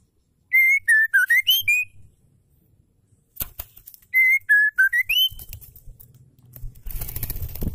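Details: Female Oriental magpie-robin song, used to stir caged males into singing: clear whistled notes near one pitch, some sliding upward, in two short bursts separated by a pause, with faint background rumble and clicks.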